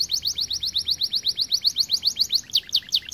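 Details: A red-variant canary sings a fast, continuous run of bright, high chirping notes, about two to three per second, with slightly accelerating trills toward the end; the song is used to stimulate other canaries to sing.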